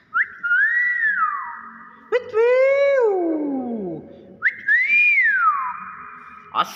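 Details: Hill myna giving clear, arching whistles that rise and fall, with a lower, rich, harsh call in between that sweeps downward. A second arched whistle follows, with faint background noise.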